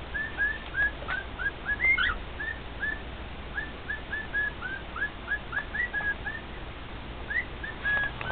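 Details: Male cockatiel serenading two companion cockatiels at home: a long run of brief, mid-pitched whistled notes, mostly flat or gently rising, with a few faint clicks and a low background hum.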